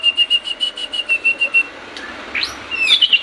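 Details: White-rumped shama song played to train captive birds: a rapid, even series of about a dozen short whistled notes on one pitch. After a brief pause comes a sharp rising sweep and fast high chatter.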